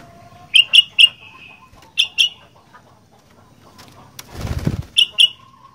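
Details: Sooty-headed bulbul (kutilang), described as a lively 'gacor fighter' singer: loud, sharp chirped notes in quick pairs and triplets, each dropping slightly in pitch, separated by short pauses, with a brief rustling noise in between.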